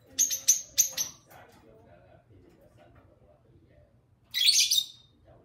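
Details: Two household lovebirds talking and singing: three rapid piercing chirps in a row, a soft murmuring lull, then a longer harsh, buzzy squeal.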